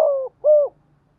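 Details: Spotted dove kept as a decoy, calling to stir up wild doves; two hollow, slightly falling coos about half a second apart, close and clean with faint low hum behind.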